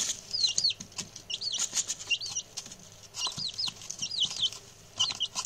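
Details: Six newly arrived male chicks chatter with repeated high, falling peeps in loose clusters, accompanied by frequent scratching and rustling sounds.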